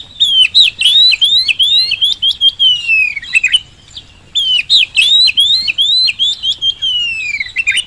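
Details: Oriental magpie-robin (kacer) in full gacor song, used as a lure to prompt reluctant birds to answer: loud, fast phrases of bright, sliding whistles and sharp clicks. Two long bursts are split by a short pause, with a quiet background.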